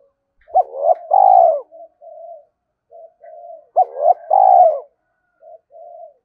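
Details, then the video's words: Decoy spotted dove calling: two cooing phrases, each short hooked notes and a drawn-out descending coo, followed by soft, flat, murmured notes, repeated about three seconds apart. "Chim Cu Mồi thúc và gáy gọi cực đỉnh, gáy gọi hai hậu"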